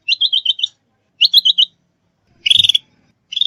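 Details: Trapping and training lure of a Sooty-headed bulbul: a run of five quick stuttered high notes, a shorter run of four, then a harsher chattering burst and the start of another.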